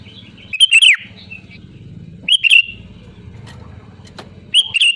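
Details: Sooty-headed bulbul singing loudly, a recording used to prompt other bulbuls to sing: liquid falling whistled phrases every couple of seconds with a soft trailing note, low hum beneath.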